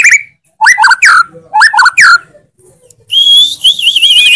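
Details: White-rumped shama singing clear falling whistles and clicks in two matching phrases, followed by a high warbling trill.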